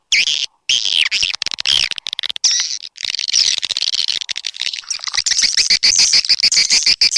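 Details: Swiftlet calling sound used to attract swiftlets: dense, high, chattering twitters in rapid overlapping bursts, broken by abrupt short silences as if cut and looped.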